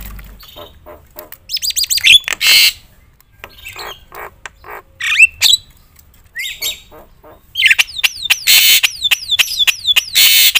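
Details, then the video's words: Javan myna (jalak kebo) sings loudly with a varied repertoire to stir other mynas: rapid whistled trills, harsh noisy bursts, scattered clicks, and a late series of repeated sharply falling whistles between loud rasping blasts. "suara KERAS jalak kebo gacor full isian bikin semua burung jalak emosi gacor"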